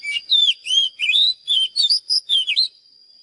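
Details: Oriental magpie-robin song for training: about eight clear whistled phrases, each bending up or down, evenly spaced over two and a half seconds, then silence except for a faint steady high tone.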